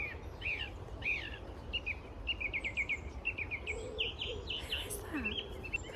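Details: Song thrush singing bright, varied phrases, each repeated two or three times, on an allotment plot, possibly shouting because someone was too close to a nest; steady low background hum with faint other bird chirps, a wren nearby.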